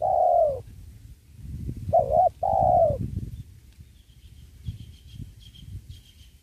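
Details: Spotted dove used to lure wild doves in trapping beside a sacred tree. A long coo, then one short-plus-long coo phrase, followed by rustling and faint high chirps from another bird.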